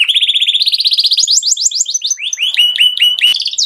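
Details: Canary in raging song meant to get other birds singing, opening with a rapid rising trill, then sliding descending notes and repeated hooked whistles at a lively pace, with a sharp click near the end.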